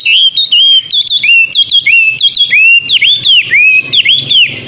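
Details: Six-month-old Chinese hwamei singing loud, clear whistled phrases, sweeping slurred notes that dip and rise, repeated in quick bursts about twice a second with brief sharp accents.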